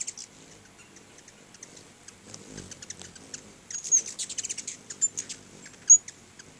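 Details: A crowd of hummingbirds at two feeders in front of a house gives scattered high, sharp chips, then a burst of rapid twittering chips around the middle, with a soft low rumble underneath.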